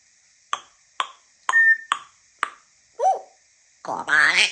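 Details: African grey parrot vocalizing: five sharp, evenly spaced clicks about half a second apart, then a short nasal rising-falling note and a burst of raspy, speech-like chatter at the end.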